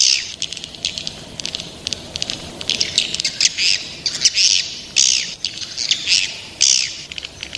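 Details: Young swiftlets calling: rapid bursts of high, sharp chirps and twittering notes, coming in irregular clusters that grow louder toward the end, with no other clear sounds.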